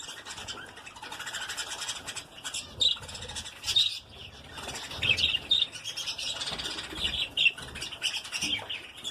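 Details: Breeding colony of lovebirds: a steady wash of high, sharp chirps and squeaks from many birds overlapping throughout, with occasional louder bursts and wing-flapping noise.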